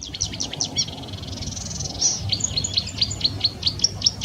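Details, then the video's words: Song of a marsh warbler, a mimic of other species: high clicks and a brief buzz, then a steady series of sharp, identical chip notes, about five each second. "VARIASI KICAU MARSH WARBLER"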